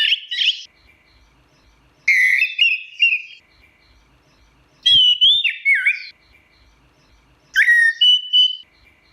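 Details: Orange-headed thrush singing four separate phrases of varied whistles and warbles, roughly every two to three seconds, each with sliding notes, with quiet gaps between them.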